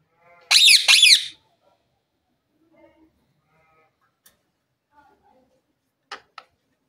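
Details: Green parrot kept as a pet and filmed dancing gives two loud, raspy, harsh screeches back to back at the start, followed by near silence with a few faint soft notes and short clicks.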